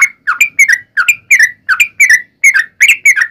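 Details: Yellow-vented bulbul in vigorous fighting song, long rapid phrasing used as a lure for other bulbuls; bright doubled whistles, one dipping and one rising, tumbling out roughly three each second.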